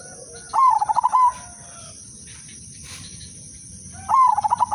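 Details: Perkutut, the zebra dove, of the Udanmas Silver line, used as a lure to start other doves singing. Two matching pulsed coo phrases about three and a half seconds apart, each a quick stutter of beats, with a steady high hiss between them.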